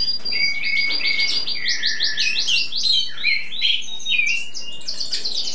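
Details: In spring, a bird used as a song tutor sings for hours: rapid chattering series of short high notes and warbles, almost three elements a second, in a busy unbroken phrase.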